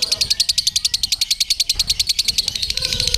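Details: Caged lovebird delivering its long ngekek during a singing contest, hung up beside a jockey bird: a fast, steady, high chattering trill of evenly spaced notes, about seven per second, running without pause.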